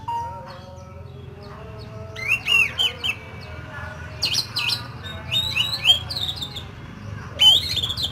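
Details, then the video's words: Oriental magpie-robin rough fill-in song used for training: loud varied whistles, sweeping slurs and harsh notes in bursts, over a low steady hum. "SUARA BURUNG KACER ISIAN KASAR"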